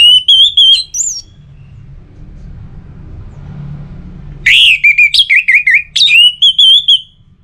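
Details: Orange-headed thrush song used as a lure to get other birds singing steadily: bursts of rapid, loud, high whistled and trilled notes, one burst opening, then a quiet pause with low rumble, then a longer fast phrase of repeated sharp whistles.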